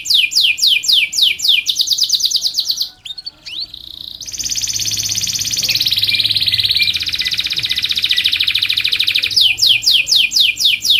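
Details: Domestic canary in long, continuous singing, used as a tutor and lure for other canaries: quick downward-sweeping trills about three to four per second, a short break, then a long sustained buzzy rolling trill before sweeps resume.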